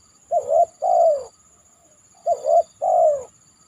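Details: After heavy rain, a spotted dove perched on a banana trunk gives two low cooing phrases: a clipped note, a rising two-part coo and a long drawn, downward-sliding coo, with a thin constant high whine behind.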